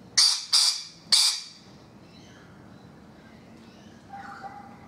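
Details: Three sharp, shrill rasping screeches from rainbow lorikeets on a balcony, close together at the start, followed by near silence and a faint distant call.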